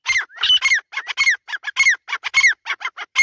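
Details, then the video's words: Female grey francolin calling: a fast run of harsh, squeaky, high notes repeated almost twice a second in a steady chattering stream. "Teetar Voice | Teetar ki Awaaz | Irani Teetar ki awaz"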